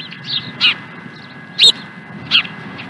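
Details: Osprey at Dunrovin Ranch on 16 April 2020, afternoon: a quick run of piercing whistled chirps, three loud notes with quieter ones before, over a low background hum.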